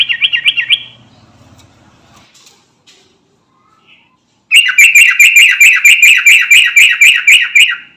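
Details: Sooty-headed bulbul of the garuda type calling to companions: a brief wavering chatter, a pause with soft faint notes, then a long, loud, steady run of rapid repeated buzzy notes lasting about three seconds.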